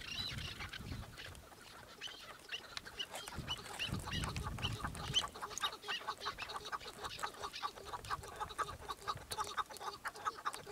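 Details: Chukar partridge repeating short, hoarse chuck notes in a steady run of about two per second, with soft low background rumble.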